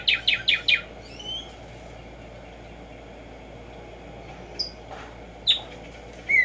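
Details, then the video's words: Black-striped sparrow, known as tumba yegua or tico tico, singing in the morning in nature: four quick repeated bright chirps open, followed by scattered high whistled notes and short chips over a steady low background hum. "HACER TRINAR a Tumba Yegua Audio para estimular el CANTO a estas bellas aves en la NATURALEZA"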